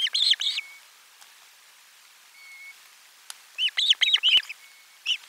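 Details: Osprey calling at nest 4 during a lunchtime fish delivery, 12 July 2022: a quick cluster of arched whistled chirps opens, then after a pause a longer run of six or seven sharp rising-falling notes; faint thin whistles between.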